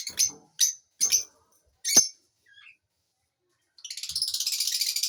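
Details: Lovebird chirps: several sharp, high notes spaced about half a second apart, then a brief pause and a fast, buzzy, rattling trill that carries on steadily to the end.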